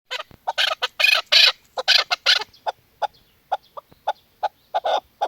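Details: Female chukar partridge calling in a rapid, uneven run of harsh clucking notes, loud bursts in the first half easing into shorter, spaced clucks.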